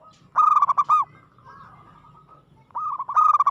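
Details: Local zebra dove (perkutut) singing aggressively: two phrases of rapid, staccato cooing notes, each ending in a rising-falling flourish. A soft, steadier note fills the gap between them.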